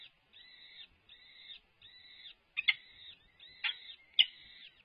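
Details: Peregrine falcon at the UC Berkeley nest on 22 April 2021, with the male arriving with food for the nest. Harsh, nasal, banded calls repeat roughly every 0.7 seconds, and some louder notes start with sharp clicks.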